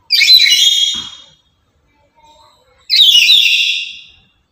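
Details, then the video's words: Loud, chattering lory kept as a lure and master bird for others: two harsh, grating screeches about a second long, separated by a pause of roughly one and a half seconds. "Inilah Burung Nuri Yang Paling Cerewet Dan Lantang"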